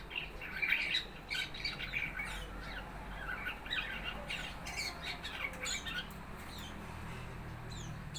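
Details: A young fig bird, four months old and still learning its song, chatters steadily with quick, scratchy chirps and squeaky notes repeated in loose clusters, some louder squawk-like bursts among them.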